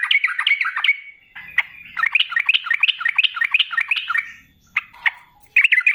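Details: Sooty-headed bulbul in lively gacor singing, ropel ngalas style, used as a lure to draw other bulbuls into answering: fast runs of bright chirping notes rising and falling, broken by short pauses, then a final burst.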